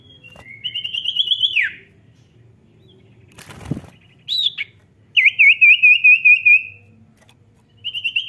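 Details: Vigorous Common Iora song for prompting sluggish birds to sing: a rising trill ending in a downward slur, a rustle and thump midway, a short sharp note, then a wavering looped trill and the start of another.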